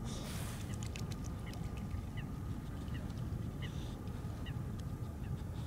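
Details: A young mute swan cygnet, near fledging age, cries for its parents or fellow cygnets with thin, high peeps about a second apart. A low rumble of wind or water sits underneath; sunset, Groenezoom reserve, Pijnacker-Berkel, Netherlands.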